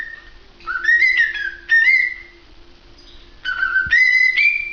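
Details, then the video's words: Cockatiels singing: two bursts of clear whistled phrases. Each opens on a low note, then slides up and holds a bright rising whistle with stepped overtones. A quiet pause separates the bursts, with a faint steady hum underneath. "شاهد اروع غناء من طيور الكوكتيل"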